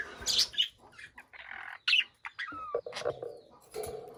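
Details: Caged budgerigars chirping: scratchy broadband chirps and short warbled notes, one clear rising-falling whistle near the middle, with a lower nasal chatter toward the end.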